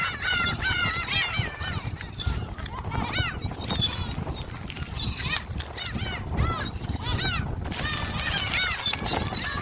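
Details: Gulls over Jebudo, Korea, squabbling as they are fed shrimp snacks: long level high-pitched wails mixed with short bent, yelping cries from several birds, with low wind noise beneath.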